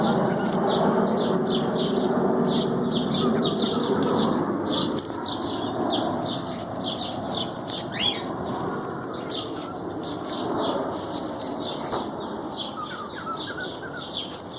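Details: Cockatiels chatter in quick, high chirps and short whistles over a steady rush of water, heard as background singing during a balancing trick.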